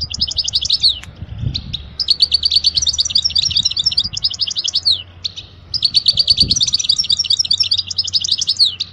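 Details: European goldfinch song to teach young birds, given as two long bursts of rapid liquid twitters, buzzy notes and jingling trills separated by a short gap, with a quiet low hum beneath.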